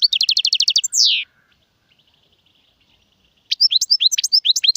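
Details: European goldfinch in the Serfati, Gzirati and Tserseer song styles: an even high trill, a buzzy falling rasp, two seconds of quiet, then sharp varied chirps returning.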